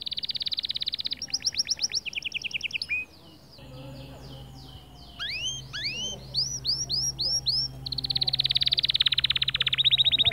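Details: Male white canary in motivational song for other birds: rapid rolling trill, a series of curved swooping whistles, softer chattering notes with faint background hum, then a loud, very fast buzzy roll.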